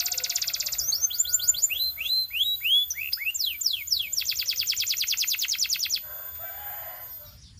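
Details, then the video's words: Belgian canary song meant to get other canaries singing, opening with a dense rapid trill, then bright descending swept whistles, followed by a long even rattling trill that stops abruptly near the end. "The Singing Canary Tempts All Canaries to Sing - Belgian Canary Singing"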